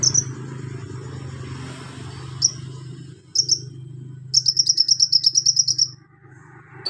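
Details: Van Hasselt's sunbird (kolibri ninja) singing tutor material with golden grasshopper, lovebird, cricket and cililin mimicry: isolated high chips, then a rapid trill of about fourteen high notes, steady low hum throughout.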